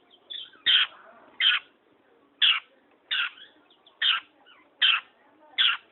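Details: Long-tailed shrike giving loud, harsh, rasping notes, each short and noisy, repeated about once every three-quarters of a second over a quiet background.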